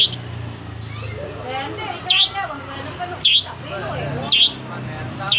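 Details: Vigorously singing long-tailed shrike repeats a loud, sharp, dipping note about once a second, five times, over a low murmur of background voices and faint chatter.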